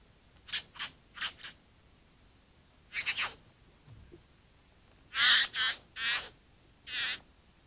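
Harsh, hissing rasps from a bowerbird, given in pairs and short bursts, ending with four louder grating notes about a second apart.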